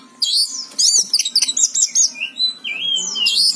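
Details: Oriental magpie-robin, the kacer, singing gacor: high twisting whistles and rapid twitters in clustered bursts, ending in a long downward-then-upward sliding whistled note.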